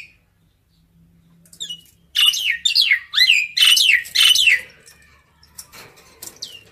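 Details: Common myna calling its flock: after a quiet start, a loud run of five or six harsh, downward-sweeping notes comes in quick succession, then fades into softer scattered clicks.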